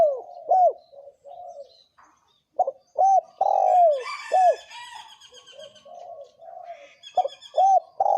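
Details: Male and female spotted doves give thổ kim style coos meant to provoke wild doves. Arched coo notes come in uneven groups, and a burst of higher chirping from another bird rises midway through.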